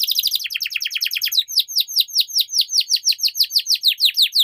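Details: Canary singing a fast, high, rolling trill that shifts into a slower series of bright, downslurred whistled notes repeated evenly several times per second.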